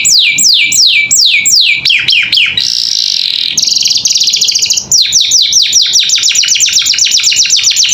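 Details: Canary song in captivity, a vigorous gacor filler recording for tutoring young canaries: quick falling whistles, then a harsh buzzy stretch and a fine rapid trill, finishing with fast repeated high sweeps.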